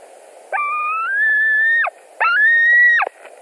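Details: During a fish delivery at a white-tailed eagle nest in Latvia, 17 July 2020 at night: a quiet moment, then two long, clear, slowly rising whistles, each ending in a sudden downward drop.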